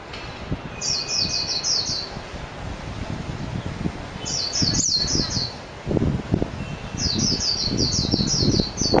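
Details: Japanese white-eye giving three separate bursts of quick, high, chattering notes, each run of five or six chirps, spaced a few seconds apart against constant low rumbling noise.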